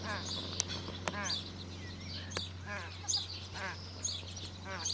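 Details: Australasian crested grebe parents with two 16-day-old chicks on Lake Benmore, Mackenzie Country, during feeding with fish and a feather. Short ragged, buzzy, harmonic calls repeat about once a second, mixed with high thin peeps and a steady low hum.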